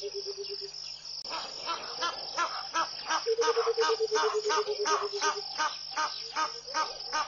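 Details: Burchell's coucal singing in the early morning at Pete's Pond, Mashatu Game Reserve, Botswana, on 21 January 2014: a low, bubbling run of hooting notes that slowly falls. A steady high insect buzz and loud harsh calls from other birds are also heard.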